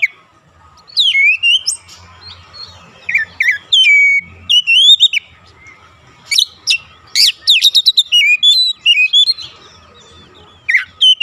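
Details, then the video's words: Oriental magpie-robin singing to incite other magpie-robins, varied phrases of falling whistles, sharp chips and harsh bursts, delivered rapidly in clustered runs. "PANCINGAN AMPUH KACER APAPUN DIJAMIN LANGSUNG NGOTOT KONSLET"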